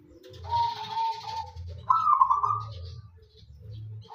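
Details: Local wild-type zebra dove singing freely, used as a lure to get other doves calling: a bubbling, trilled coo phrase that starts low and level, then a louder, higher rolling section, over a steady low background hum.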